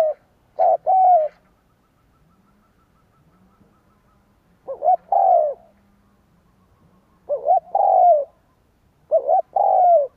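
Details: Spotted dove coo used to stir wild doves: four separate phrases a few seconds apart, each clipped lead notes followed by a drawn-out, gently sliding coo, quiet between.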